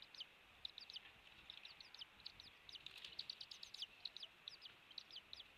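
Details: Eagle calling at its nest on Captiva Island, Florida, rebuilt after Hurricane Ian, captured by camera at dawn in January 2023; crisp, high squeaky chips rattle off in quick doublets and triplets.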